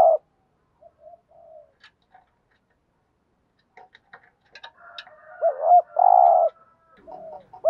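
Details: Caged decoy spotted dove used to lure wild doves, cooing 'thúc gù' style: soft faint coos early, then one loud phrase of a wavering double note and a long steady coo, with scattered clicks and light chirps around it.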